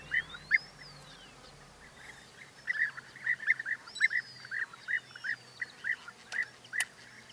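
European bee-eaters give short, liquid rolling 'prruip' notes, repeated about three times a second, with a few thin rising and falling whistles above.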